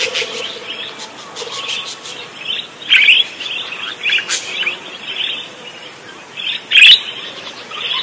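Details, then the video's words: Parakeets chatter in a busy, scratchy warble of high chirps and squeaks, with louder sharp bursts every few seconds over a steady twittering background. "Suara Kicau Burung PARKIT GACOR"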